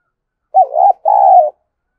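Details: Spotted dove used as a decoy bird, cooing to stimulate other doves; two low hooting coo phrases, a short wavering note followed by a longer steady one, lasting about a second in a quiet setting.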